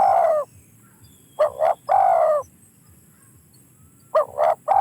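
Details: Spotted dove cooing: a long husky coo, then a doubled short note and another drawn-out, slightly descending coo, with the next phrase starting near the end. Background stays quiet apart from a faint hum.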